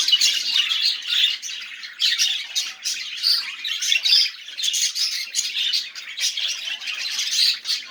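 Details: Budgerigars chattering, intended to make quiet budgies sing; a lively mix of chirps, buzzy rasps and clicks, with occasional brighter whistled notes standing out.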